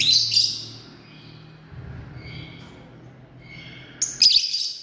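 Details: Lovebirds, a family group, with a shrill squeaky call at the start, soft faint chirps in between over a low hum, and another sharp squeal burst at the end.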